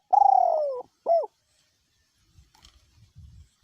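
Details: Decoy spotted dove with a small-to-middle voice cooing despite strong wind: one long loud slurred coo sliding gently downward, then a short bent note, followed by quiet soft low wind bumps.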